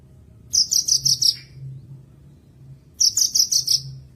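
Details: Javan bush lark song played as a tutoring recording to get a caged bird singing again after moulting or stress, also used as therapy and a lure. Two bursts of five or six rapid, high, sharp notes, separated by a pause, over low background hum.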